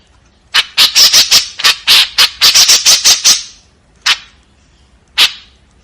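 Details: White-breasted woodswallow's coarse 'tembakan kasar' outburst: a tight string of about twelve grating notes, followed by two isolated rasping calls spaced about a second apart.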